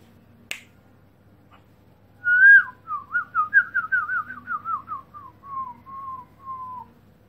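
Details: Black-throated laughingthrush, recorded 2017, giving a clear whistled phrase: a sharp click, then a wavering series of slurred whistles that slowly falls in pitch and fades over about four seconds, in an otherwise quiet setting.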